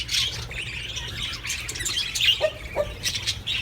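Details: Budgerigars making mating calls to prompt breeding: chattery warbling with rasping squawks, a few clear whistled notes, and two short lower honking calls in the second half.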